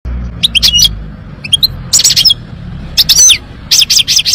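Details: European goldfinch singing in short bursts of bright, high twittering notes and quick downslurred chirps, separated by brief pauses, with a low background hum.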